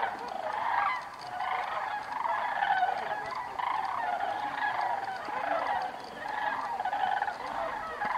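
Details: Flock of sandhill cranes circling on a thermal while migrating north for the summer at Bandelier National Monument, a continuous overlapping chorus of rolling, bugling rattles rising and fading in waves from many birds.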